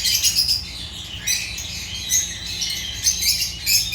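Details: African lovebirds, genus Agapornis, chattering with shrill squeaks and rapid chirps that rise and fall in short waves, many birds calling together.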